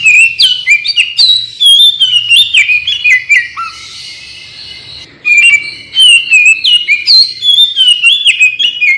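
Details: Oriental magpie-robin pouring out varied whistled song as a lure for responding birds: rapid clear phrases, a brief scratchy pause with one low whistle, then another fast burst of bright notes.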